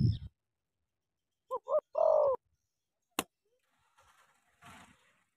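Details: Spotted dove from Cà Mau, Vietnam, giving a short cooing phrase: two quick low hollow notes followed by a longer throaty coo, preceded by a thump and followed by a sharp click and faint rustling.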